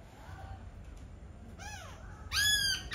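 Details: Laughingthrush song, faint at first, then an arched, ringing note and a loud, rich harmonic phrase near the end, over steady background hiss.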